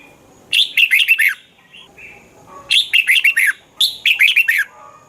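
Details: Thai red-whiskered bulbul song played to stimulate caged birds: three loud, chattering, bubbly phrases, each a rapid run of five or six slurred notes, separated by short pauses with a few soft whistles.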